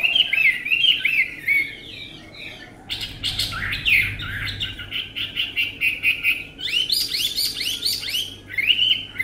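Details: Hwamei, a tame bird with a lovely voice, singing a long, varied song of warbled whistles, bursts of rapid chattering notes and sweeping slurred phrases at a high pitch.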